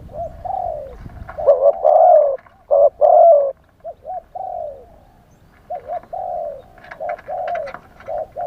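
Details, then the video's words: Spotted dove used as a live lure for wild doves, cooing in wild style: deep mellow coos in short-long pairs, bursts of overlapping louder notes mid-way, then softer paired coos with light chirps and clicks. "เสียงต่อนกเขาใหญ่ คารมป่า 100 % ต่อสด"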